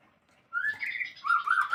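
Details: White-rumped shama song: a brief, clear whistled phrase. A sustained bright note is followed, after a short pause, by lower warbling whistles that rise again at the end, over a quiet background.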